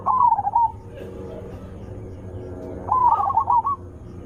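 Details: Zebra dove call, loud and melodious, used to lure other zebra doves into answering. A bubbling trilled phrase, a pause of about two seconds, then a second quick rippling run of notes.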